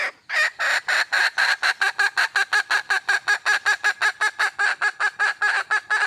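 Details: Red junglefowl hen in the wild, calling for a mate, gives an unbroken run of about twenty-five rough, cackling notes in quick, even succession, with a quiet background.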